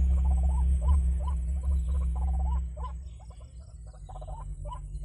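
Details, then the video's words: White-breasted waterhen call played as a trapping lure: rapid hooked notes rising at the tail, about three per second, fading toward the end over a humming background. "Pikat Ruak-Ruak"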